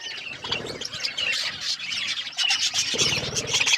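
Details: Budgerigars chirp while eating, a steady wash of high squeaky twitters with low rattling, scratchy food-handling noises underneath.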